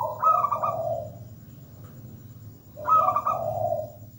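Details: Singing local zebra dove: two short phrases about two and a half seconds apart, each a quick high trill melting into a low soft coo.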